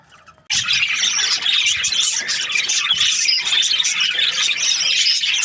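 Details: A happy budgie: after a short hush, a sudden burst of bright, scratchy chatter and squeaky warbles runs on without a break.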